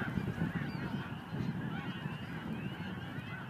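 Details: Snow goose flock at a marsh by a cycling path in Montmagny, 17 April 2012: a thick wall of overlapping honks and yelps, partly masked by strong low-pitched rumbling noise.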